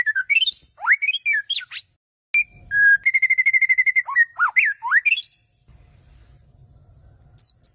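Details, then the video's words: White-rumped shama warming up its song, a rapid mix of sweeping whistled notes rising and falling, a run of fast repeated clipped notes, then a pause with low rumbling before two more high whistles. "Buat pemanasan murai gaes"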